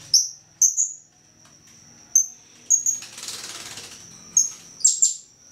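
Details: Grey-cheeked bulbul singing, used for training other songbirds such as magpie robins; thin high whistled notes, some sliding and slurred, given in short bursts with pauses, plus a brief soft rustling noise midway.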